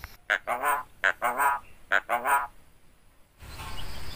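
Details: Yellow-eyed Javan myna with an uncut tongue, imitating human speech. It repeats the greeting 'assalamualaikum' three times in quick, voice-like phrases with clear syllables, then falls silent. Background hiss and low rumble follow.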